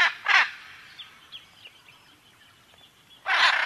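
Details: Macaw giving two loud, raspy squawks in quick succession, then near silence with faint chatter, then one more harsh squawk at the end.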